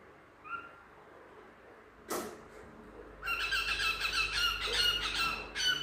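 A cockatiel gives a soft whistle, then bursts into fast, harsh, chattering warbles.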